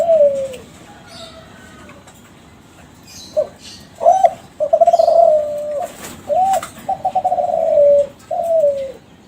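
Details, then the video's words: Lure song from a young Kelantan zebra dove of champion contest lineage, bred in captivity to prompt other doves to call: a falling coo, then a run of stuttered notes and long sustained mellow coos ending with a dropping note. "SUARA DERKUKU KELANTAN TRAH JUARA PANCINGAN SUARA GACOR"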